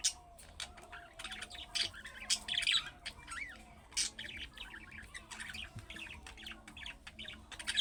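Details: Pet-style budgerigar warbling intended to get other budgerigars calling back; a steady stream of quick chirps, trills and buzzy notes at moderate volume with a faint low hum beneath.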